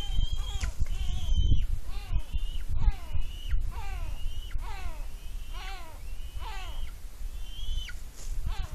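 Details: On a nest cam on Smola, Norway, in July 2018, a young eagle eats a fish its mother delivered, giving excited squees. Long high whistles end in sharp downward slurs, repeated about every second, with low rumble beneath.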